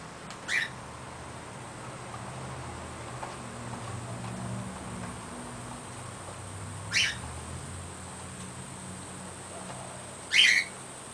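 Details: Captive pet short-billed corella in its cage, busy with a spinning foraging wheel toy, gives three brief harsh screeches spread across several seconds, with quiet background hum between calls.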